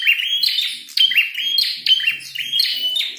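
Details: Prinia with a red head, singing hard while fighting, produces a steady stream of harsh, buzzy chirps and thin whistles, bursts repeating about once a second.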